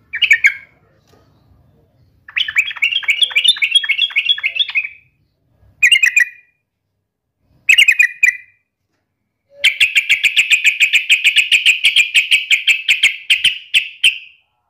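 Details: Yellow-vented bulbul (trucukan), in lively gacor song while fighting and taunting a rival: short bright chirps in separate bursts, then a long rapid string of sharp, even chips lasting about five seconds. No other sounds are heard.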